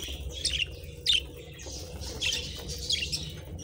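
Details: Pet budgerigars, several colourful parakeets, calling while nibbling treats: short bright chirps come in scattered bursts about once a second, some with quick rising and falling twists, over a steady low rumble.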